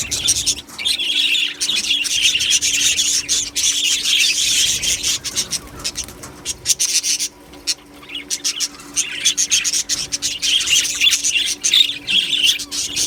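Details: Budgerigars in an aviary colony, recorded 1 July 2025, chirping together in a dense, continuous high twittering chatter with brief quieter lulls and bursts of sharp squawky notes.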